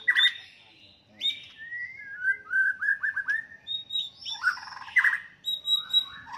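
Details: White-rumped shama fighting song to provoke rivals: separated whistled notes, a string of short downslurred whistles, then higher squeaky notes and chirps.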